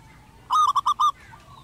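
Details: A wild zebra dove of the crystal-voice type sings steadily atop a rooftop, giving four short, bright, staccato notes in rapid succession, the last slightly longer, set against soft background hiss.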